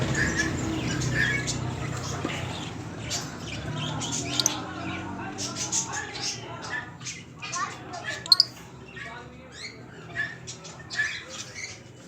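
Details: Mountain parrots give harsh, clipped squawks and chirps in quick irregular bursts, while people talk and bargain in Hindi in the background throughout, apparently at a shop.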